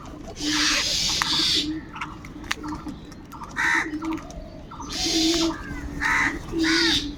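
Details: Crows fighting for food: harsh, nasal caws in bursts about half a second long, several in a row with short gaps, over a steady low hum and a faint lower cooing note.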